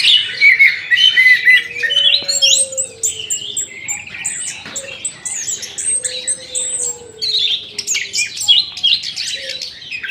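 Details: Morning chorus of caged birds in an aviary: dense, high, rapid chirps and twittering phrases from several birds at once. A faint, low, steady tone slides gently downward in the background.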